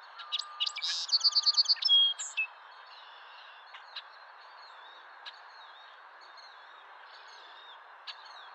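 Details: Male song sparrow in song on April 10, 2023; sharp opening notes give way to a ringing trill of six or so repeated notes and a short upward flourish, followed by quiet with faint scattered chirps of other birds.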